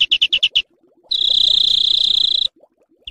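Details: Bird song used as training material to teach kept and contest songbirds rough 'besetan kasar' bursts: five quick harsh chips, a pause, then a long dense buzzy rattling trill, and another burst starting at the end.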